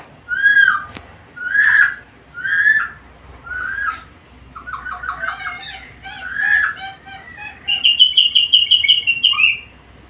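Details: Black-capped lory, noted for talking and varied sounds; four full whistled calls, then a run of short stuttering notes and a rapid series of high clipped chirps toward the end.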